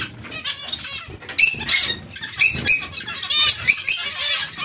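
Zebra finches give dense, nasal, buzzy chatter in quick overlapping bursts, with soft fluttering wing sounds underneath.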